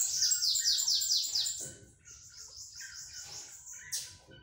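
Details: Sibite, or bananaquit, performing pitiú beats: a quick volley of very high, buzzy, repeated strokes for under two seconds, followed by softer thin trilling and a final short high note over low background rumble.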